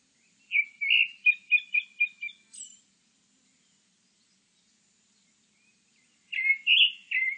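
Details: Grey-backed thrush gives a fast series of about seven repeated whistled notes that fade at the end, a brief high squeak, then after a pause a new phrase of rich, slurred whistles.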